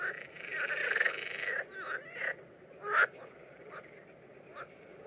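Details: Common terns mating in the Danube Delta in June 2016 give a drawn-out grating call, then a few shorter raspy notes and one loud sharp call, with softer calls trailing off.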